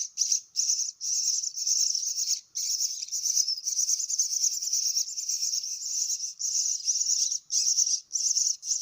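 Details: Young myna nestlings at feeding time give shrill, raspy begging calls in long unbroken runs, pausing briefly every second or two.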